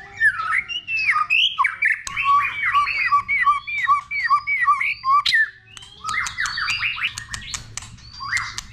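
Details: White-rumped shama singing in many voices, a recording used to train and provoke shamas: rapid runs of clear whistled notes slurring up and down, fast repeated phrases, with sharp clicks between them.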